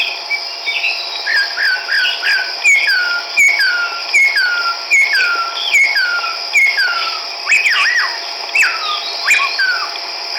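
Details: Chestnut-backed laughingthrush recorded on March 17, 2010 in Hukaung Valley wildlife sanctuary, Kachin State, Myanmar: a series of clear down-slurred whistles repeated more than once a second, ending in looping notes, over a steady high insect drone.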